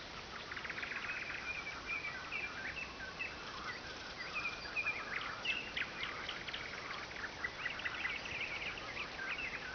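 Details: Nightingale song on the Oka river, a bird said to be so loud it keeps people awake; varied phrases of short whistles, chirps and clicking notes strung together without pause over a constant noisy background.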